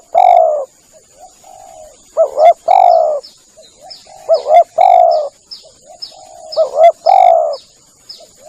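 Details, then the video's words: Spotted dove calling as a lure for doves: loud phrases of two brief coos and a long coo, with softer answering coos between and many thin descending chirps of small birds, under a steady high whine. "Bunyi pikat burung tekukur"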